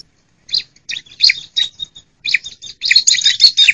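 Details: Female bar-winged prinia calling, used as a lure for lazy singers and wild birds. Bright, irregular chirps and twittering notes come in short clusters, growing denser and louder toward the end.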